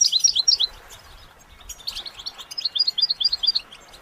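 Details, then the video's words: A goldfinch sings two bursts of quick, high, liquid twittering notes, the second longer and more even, over a quiet background, in a recording meant to motivate goldfinches to sing. "Developing the Goldfinch’s Talent- How do you Motivate it to Sing"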